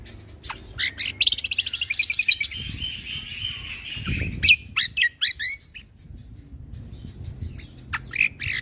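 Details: Greater green leafbird (cucak kombo) singing vigorously for training caged birds, 'isian tembakan' style. A rapid chattering burst and a long, sliding whistle, then separate sharp chips and slurred notes. Low rumbling noise in the background.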